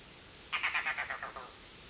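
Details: Red-bearded bee-eater calling to its young before entering the nest, a short, hoarse, croaking rattle of about eight quick pulses that slow and fade, with faint background hiss.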